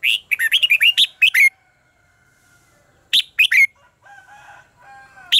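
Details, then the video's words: Fighting song of a red-whiskered bulbul, meant as lure sound to stir birds into singing: a rapid string of chirpy whistled notes, then a shorter three-note phrase after a pause, with faint tonal background sounds. "luyện giọng cho chào mào hót hay - căng lửa, chào mào hót quá phê"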